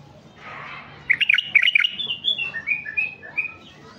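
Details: Male white-eared bulbul of a mutation form, kept to lure and start wild-caught bulbuls singing: a quick burst of bright chattering notes, then clear whistled phrases rising and falling, repeated in short bursts over a faint low hum.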